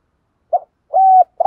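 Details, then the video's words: Spotted dove used as a lure bird, calling to provoke and attract wild doves: a short soft coo, then a longer level hooting coo ending in a brief drop, followed by the start of another note; no other sounds. "tiếng chim cu gáy mồi chuẩn kích bổi hiệu quả"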